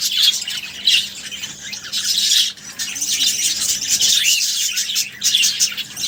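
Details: Budgerigars being fed make loud, raspy, high squawking and chirping in overlapping bursts, with a brief quieter gap partway through before the chatter resumes.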